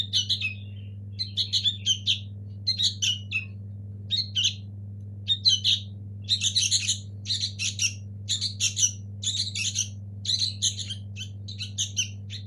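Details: Young local sooty-headed bulbuls in the nest start with scattered scratchy chirps, then build into a run of rapid, crowded harsh bursts, with a steady background hum.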